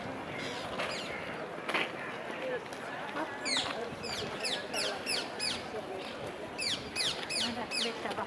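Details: Rose-ringed parakeets at their nest in a tree in Vondelpark, Amsterdam, give harsh, shrill screeches in quick sharply sweeping bursts, about three a second, over a noisy background with possible voices.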